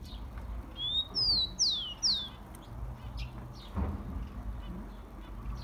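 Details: Song of a rufous-collared sparrow, used for warming up caged birds: one short whistled phrase, with a level opening note followed by three bright descending slurs, then only a low hum and scattered faint ticks.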